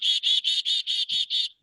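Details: A chickadee gives a fast run of seven harsh, buzzy "dee" notes, about five per second, evenly spaced and steady in pitch, the call people render as the bird saying its own name, "chickadee"; no other sounds.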